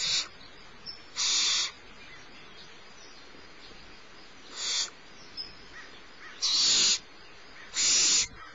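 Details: Littlest barn owlet at Starr Ranch, fed by its mother on a March 2011 morning, repeats harsh hissing screeches of half a second, some softer, at irregular one- to three-second gaps.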